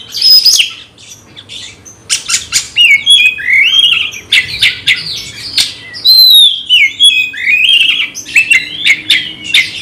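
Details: Kept magpie-robin provoked to fight a rival, singing in rapid bursts: clear downslurred whistles and wavering warbles mixed with rough, scratchy bursts, phrases tumbling quickly one after another.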